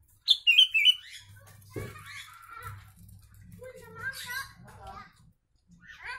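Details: A sooty-headed bulbul singing learned Javan myna phrases as a tutor recording: an opening burst of three loud, descending whistled notes, then a jumble of quieter chirps, rattles and slurred calls, with a soft thump early on.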